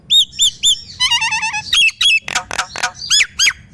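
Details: Nias hill myna song used as a lure to prompt silent mynas to sing: loud, clear whistles that rise and fall, a quick warbled run, then harsh rasping notes and more whistles.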